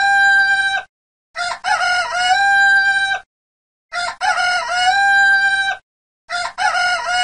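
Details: Crowing red junglefowl: the tail of one crow, then two complete crows and the start of another, repeated about every two and a half seconds. Each rises from choppy opening notes into a long, steady, ringing tone.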